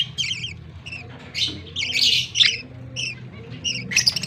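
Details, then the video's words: Budgie chicks being fed by a male budgerigar: scratchy, high squawks and chirps in irregular bursts, some loud and rasping, over a low hum. "Budgie is Australian chicks a baby feeding male"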